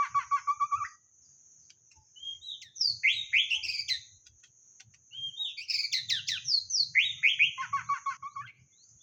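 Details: White-rumped shama song played as a lure: bursts of rich whistled phrases, slurred up-and-down notes and quick trilled runs, in two long sequences separated by a short pause. No other sounds stand out.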